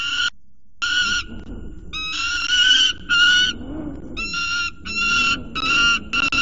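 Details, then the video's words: Young peregrine falcon at a nest scrape at CSU Orange, screaming at the top of his lungs after driving his mother off. Rough, nasal screeches in quick uneven bursts, some drawn out, over a low hum. "CSU Orange Peregrine Falcons ~ Pluto Has A HISSY Fit!! Chases Off Mom!"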